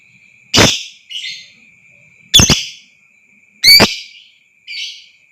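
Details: Lovebird sound intended to rouse other lovebirds into long trilling: three loud, harsh shrieks over about five seconds, each answered by a shorter raspy chirp, with a steady thin whine in the background.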